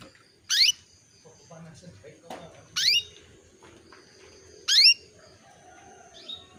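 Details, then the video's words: Female canary calling to a male to stimulate him into breeding condition: three bright, steeply rising sweeping calls, each under a quarter second, spaced about two seconds apart, with faint chirps and low room noise between them. "PANCINGAN KENARI BETINA MEMANGGIL JANTAN"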